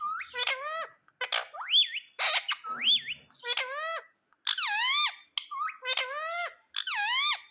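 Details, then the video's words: Pet parrot kept indoors, repeating the word "mitthu": a string of squeaky, nasal, voice-like syllables, each swooping down then up, run together in quick bursts with brief pauses. "Mitu Mitu Bolne Wala Parrot"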